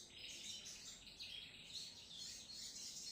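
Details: Sogon trotol in full song: a continuous, dense run of very high, bright twittering notes with no pauses, over faint low background noise.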